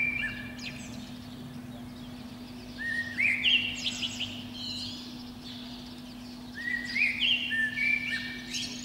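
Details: A Eurasian blackbird sings from a pine treetop below a window on a spring morning, between about five and seven a.m.: short phrases a few seconds apart, mellow fluted notes breaking into higher twittering, over a steady low mechanical hum.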